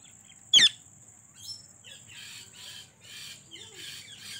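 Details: Domestic talking parrots, several birds: a sudden sharp, harsh squawk, followed by a run of softer, breathy, hissing bursts about every half second against a steady high whine.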